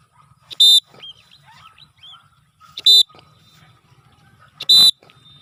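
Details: Cockatiel during its first free flight, calling with three piercing, rasping shrieks at irregular intervals. Softer chirps and faint twittering notes fill the gaps, over a low background rumble.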